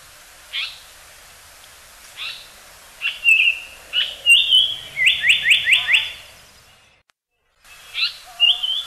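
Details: Japanese paradise flycatcher in steady rain at Osaka Castle Park, 9 May 2015: scattered high chips and a slurred whistle, then a quick run of five bright repeated notes; rain hisses throughout (call audio borrowed from a reference collection).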